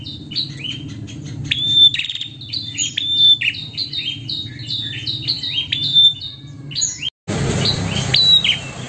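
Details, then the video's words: Prinia, a female calling the male, gives dense runs of high, quick descending chirps and sharp ticks for about seven seconds, then a brief break and a noisier stretch with a few more chirps; low background hum throughout. "Prenjak Betina Memanggil Jantan"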